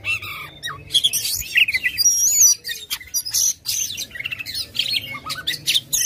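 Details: Oriental magpie-robin (kacer), an aggressive singer opening its tail, used as a lure to get a lazy bird singing: loud, fast high-pitched song of sharp chirps, trills and clear whistled notes, bursts changing rapidly with brief pauses.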